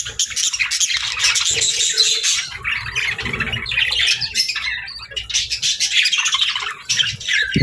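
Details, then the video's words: Pet budgies chirping happily, a busy mix of harsh squawks and scratchy twittering warble that swells and fades across the clip, with a few low knocks and a short sharp noise at the end. "Budgies Chirping"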